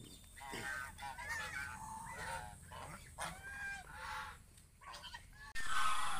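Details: Geese, adults together with goslings, giving a series of nasal, harmonic honks and shorter cackling notes one after another, with a sudden loud rustling burst near the end.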